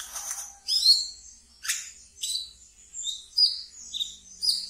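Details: Collection brown-throated sunbird in chattering ngeriwik style for luring raw birds: a buzzy opening rasp, then a series of high, downslurred chirps and brief trills spaced irregularly.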